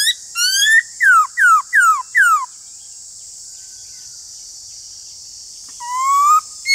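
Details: Singing duel of a Black-throated laughingthrush against another laughingthrush: a rising whistle, then four loud falling whistled slurs in quick succession, silence, and a final long rising whistle; high hiss persists.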